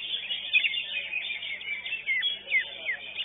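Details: Greater green leafbird (Chloropsis sonneratii), a first-place winner at a songbird contest, sings a fast, unbroken run of high chattering notes with quick whistled slurs that rise and fall; faint background noise underneath.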